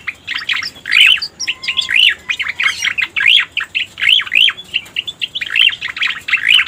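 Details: Striated Grassbird called cica koreng, as a lure recording: paired, bouncing chirps that rise and fall in a V-like shape, repeated in short bursts with brief gaps, with one faint level whistle.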